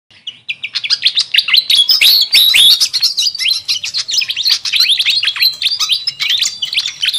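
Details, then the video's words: Fantail flycatcher, busy lure recording for attracting wild birds: dense, rapid, overlapping high chirps and sharp down-slurred chips, about three per second, rising to a sustained noisy chatter after a quiet start. "Suara Pikat Burung Sikatan Kipas RIBUT"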